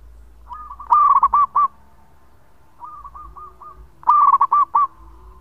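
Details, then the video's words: Zebra dove of a local strain in full song, long-voiced recording meant as a lure: three cooing phrases, each a rapid bubbling trill ending in spaced, looping notes, with a softer similar phrase from a second dove between. "Perkutut Lokal Gacor Suara Panjang buat Pancingan"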